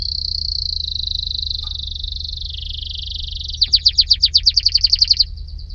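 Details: Loud, close canary song: a sustained rolling trill that steps lower in pitch, then a burst of rapid sharp descending notes repeated about three times per second before fading.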